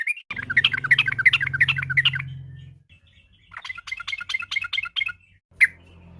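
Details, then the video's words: Afternoon song of a yellow-vented bulbul, played as a lure to get other birds singing: a long run of rapid, chattering bubbly notes, a pause, then a second quick burst and one sharp closing note, over a low droning hum. "pancingan trucukan bahan biar bunyi gacor.! trucuk ropel, trucuk gacor fariasi, trucukan sore hari"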